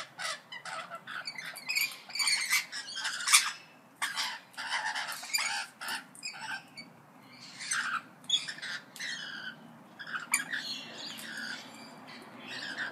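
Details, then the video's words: A group of parrots chatters almost continuously, overlapping short squawks, clicks and raspy notes in dense bursts over a steady low hum. "ΠΑΠΑΓΑΛΟΙ ΣΥΖΗΤΟΥΝ (PARROTS DISCUSSION)"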